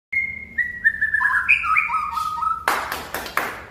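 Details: White-rumped shama song: a descending series of clear whistled notes stepping down from high to lower pitch, followed by a few sharp loud clicks near the end.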